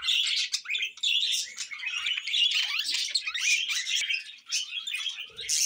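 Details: Pet budgerigars warbling without a break: a steady stream of high, scratchy chirps and quick twittering notes that swell and dip in loudness.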